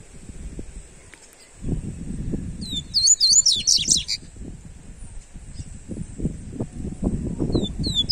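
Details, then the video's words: A Double-collared seedeater gives a warm-up song. A brief burst of rapid, sharp, high chirps comes amid continuous low rumbling and thumping noise, and a few high notes return at the end. "Esquente seu papacapim Coleiro"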